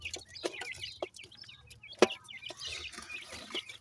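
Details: Grey francolin chicks in captivity in Punjab, Pakistan, giving thin high peeping calls repeated rapidly, partly masked by sharp knocks and clatter.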